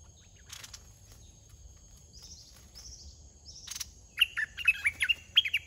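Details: Wild red-whiskered bulbul in Thailand, aggressive, chasing and attacking a caged decoy bird; after a quiet start with faint high chips, a burst of loud, bubbly, warbled whistled phrases repeated rapidly in the last second and a half, with rustling sounds.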